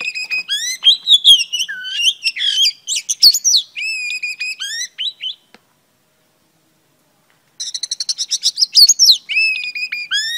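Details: Singing female oriental magpie-robin used to rouse a male: rapid varied whistles and down-slurred notes for several seconds, a silent gap of about two seconds, then a fresh burst of quick sweeping phrases.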